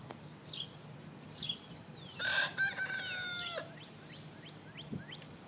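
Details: A young Easter Egger rooster crowing for the first time gives a scratchy, uneven crow of about a second and a half, with high, thin bird chirps before and after.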